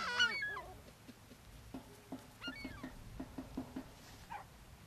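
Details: Beach gulls being fed at Brean Sands, Somerset, England, in April; a loud cluster of squealing cries opens, then softer short clipped notes repeat while surf murmurs underneath.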